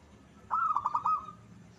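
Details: Tame zebra dove called as a lure. One brief trilled coo, a quick run of soft bubbling notes ending in a level hum, set against low background noise.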